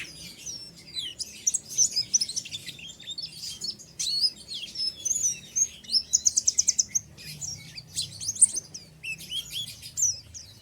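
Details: Oriental white-eye, an untrained pleci, singing ngeriwik: extended high chattering of varied chirps, slurs and a fast evenly pulsed trill of about a dozen notes, breaking briefly near the end.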